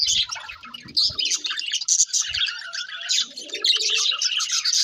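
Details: Budgies warble while they eat, giving a fast, scratchy, high chatter that runs almost without pause. Softer, lower, murmuring notes and a few dull knocks sit beneath it.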